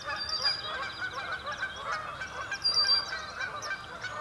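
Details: Sandhill cranes at a marsh at sunrise under cloudy skies, a dense chorus of rolling, rattling bugles, many birds calling over one another without a break.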